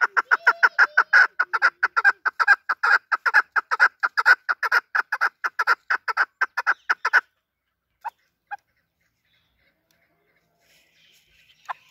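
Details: Desi chukar partridge kept for hunting delivers about seven seconds of rapid, rhythmic clucking, then falls mostly silent with two lone notes and a faint call near the end.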